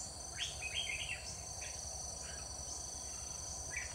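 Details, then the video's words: Decoy red-whiskered bulbul singing at a trapping site on 21 October 2019: scattered short, fluty, warbling phrases, some faint and distant, set against loud steady insect buzzing and a low background rumble. "Bẫy chào mào Bộ dài đòn đá lân cao vút"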